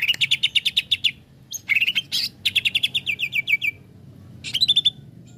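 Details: Excited, agitated greater green leafbird (Chloropsis sonnerati) sings fast bursts of sharp, high, chattering notes, each a rapid string of a dozen or so clipped pips; song that provokes other leafbirds.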